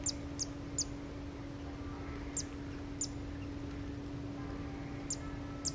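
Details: Zitting cisticola recorded 28 August 2016 in the Pian di Spagna-Lago di Mezzola reserve, giving short, piercing high 'zit' calls in an uneven series of seven notes with pauses, against a low constant hum.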